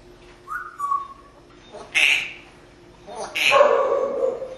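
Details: Female pet parrot in Las Vegas, Nevada, sitting in the window: one clean falling whistle, followed by two harsh, noisy, bark-like bursts as sound effects.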